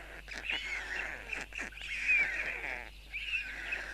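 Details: Nest of white storks in Tukums, Latvia, June 13, 2022: the male feeds four young. Rasping, hissing calls swell and fade in several overlapping bursts over a few seconds, with a quiet rural background.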